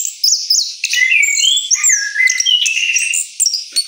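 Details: Rolling song of an orange-headed thrush after its moult, a continuous busy stream of sweet whistles, slurred glides and chattering high notes with few pauses.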